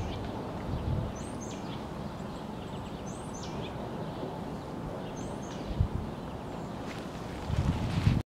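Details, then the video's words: A brown creeper in Urbana, Illinois, gives three very high, thin, slightly descending 'seee' notes about two seconds apart, over a steady low rumble of wind. "Brown Creeper"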